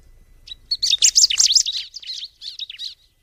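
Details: Bar-winged prinia pouring out a fast, jumbled string of high, thin, chattering notes for about two and a half seconds, loudest early and tapering into lighter, evenly spaced chirps.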